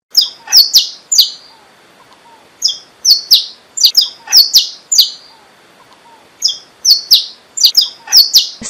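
Saffron Finch giving bright, sharp chirps in quick bursts of three to five notes, with short pauses between the bursts.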